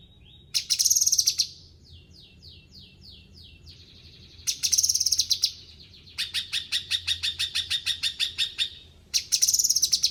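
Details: Cucak kinoi, a bulbul, in full energetic song: dense high buzzy bursts broken by descending slurred notes, then a long run of evenly spaced sharp chips about six per second, ending with another buzzy burst.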